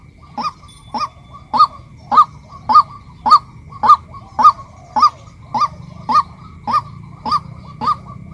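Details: Female white-breasted waterhen calling with a steady series of short, nasal, rising-and-falling honks, about two per second, over a low background hum.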